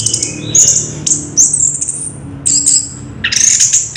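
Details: Orange-headed thrush singing in its ngerol rolling style: a few sparse, high whistled phrases with short sliding notes separated by brief pauses, over a faint low hum.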